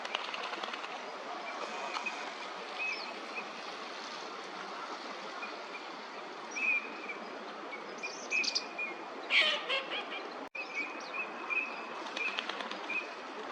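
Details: Wintering Eurasian teal at Junsainuma green park in Chiba, Japan, February 2026, giving short, high, whistled notes scattered through the recording, some in quick pairs, over a steady rushing background hiss.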